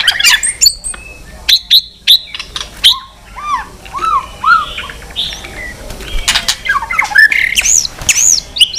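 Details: Many-voiced fighting song of a white-rumped shama flicking its tail: short high whistles and clicks, a series of falling slurred notes, then scattered sharp chips and sweet upslurred whistles.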